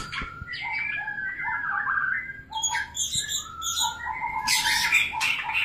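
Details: White-rumped shama in mating display: warbled whistles dropping in pitch, then high ringing notes and a noisy rush of flapping toward the end.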